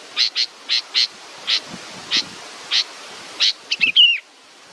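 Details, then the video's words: Young bird waiting for its mother repeats sharp, high chirps roughly every half second, some in close pairs. A brief burst of quicker, twisting notes ends the run, heard against faint outdoor hiss. "A beautiful baby bird is waiting for its mothe"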